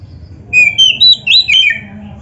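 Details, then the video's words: Short burst of oriental magpie-robin song with filler phrases: five or six quick, high, bright whistled notes bending up and down, delivered in under two seconds. "Kacer gacor full isian RAPET"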